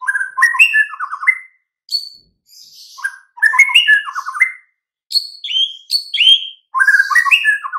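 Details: Master recording of White-rumped shama singing, meant to make mute birds answer: rich, varied whistled phrases with quick rising and falling notes and short rattled trills, delivered in four bursts with brief silences between.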